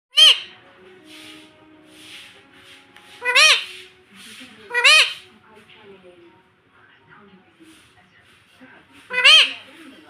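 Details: Pet parrot talking indoors, saying words such as 'mitthu' and 'mummy': four short, harsh, harmonic bursts with bent contours, spread across ten seconds with quiet murmuring between them.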